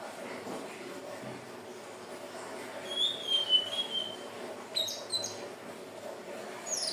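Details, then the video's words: Hill blue flycatcher song played as a lure for catching birds: one thin, high whistled phrase wavering slightly and falling, then brief sharp high notes, over steady background hiss. "SUARA BURUNG TLEDEKAN BIRU/SIKATAN NINON/SELENDANG BIRU"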